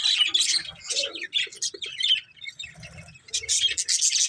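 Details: Budgerigars, a breeding pair of caged love birds, chirping in dense bursts of high, scratchy warbling and squeaky chatter, with brief pauses between flurries.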